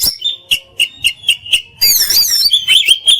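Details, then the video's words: Oriental magpie-robin (kacer) in full song: a string of short whistled notes repeated about three times a second, then a dense burst of harsh, high chattering twitter. "Masteran Mewah Burung Kacer Full Isian Dan Tembakan"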